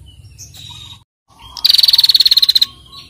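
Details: Female bar-winged prinia giving a call meant to stimulate other birds to sing: one loud, rapid trill of about fifteen sharp pulses lasting a second and holding an even pitch, after softer chirps from other birds.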